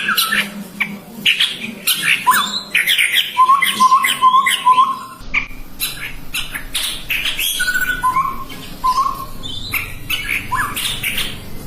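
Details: Call of the chestnut-rumped babbler: a rapid string of low, even whistled notes, then a few more spaced whistles, surrounded by dense high chirps and clicks.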